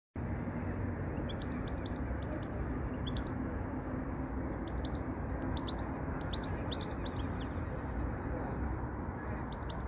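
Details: European goldfinch singing and chirping in the UK: quick, high, thin twittering notes in scattered bursts through the whole stretch, set against a loud, steady low rumble of background noise.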